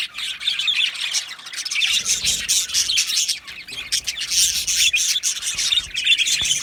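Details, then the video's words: Aviary flock of Australian budgies giving a steady stream of high, scratchy chirps and warbled twitters, with a few soft low rustles beneath. "Budgie parrot chirping sounds"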